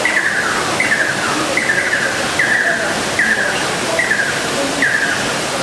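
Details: Fire-tufted barbet duet by a pair, a regular sequence of clipped downslurred notes repeated about every 0.8 seconds, accompanied by steady background hiss.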